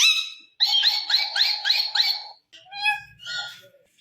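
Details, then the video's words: Green Indian ringneck parrot, a pet talking bird: a run of five bright, harmonic, chattering notes in quick succession, then a pause and several shorter varied squawky syllables at different pitches, recorded indoors. "Ringneck Funny Talking Parrots"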